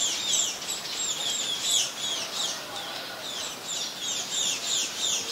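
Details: Scaly-breasted munia, Ubon Ratchathani, Thailand, January 2020: busy chatter of high, squeaky chirps repeated about three times a second, layered like several birds calling together.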